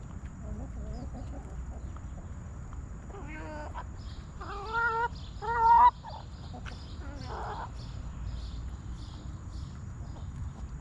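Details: Backyard hens in a cozy coop giving a run of loud, nasal, harmonic squawking clucks in short bursts, the strongest pair in the middle, with quieter murmuring clucks before and after and a low background hum.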